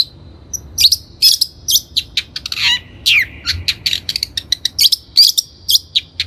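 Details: A Long-tailed shrike (Lanius schach), in a recording meant as a lure or training call, sings a rapid, scratchy song of harsh chips, buzzes and thin high whistles, tumbling out in quick, uneven bursts with hardly a pause.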